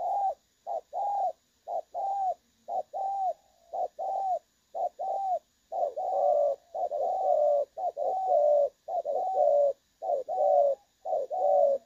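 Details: Trapping-decoy recording of a spotted dove in the clear 'đồng son' voice. Continuous low cooing in short-long pairs rolls on at about one pair per second, growing slightly fuller toward the end.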